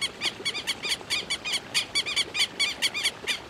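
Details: Rapid, scratchy repeated calls of a Southern lapwing, roughly three or four sharp notes per second, steady and insistent throughout a short outdoor stretch.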